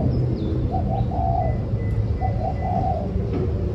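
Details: Spotted dove giving low mellow coos in two phrases, each a quick pair of notes followed by a longer rolling coo. A steady deep hum and faint thin chirps sit in the background.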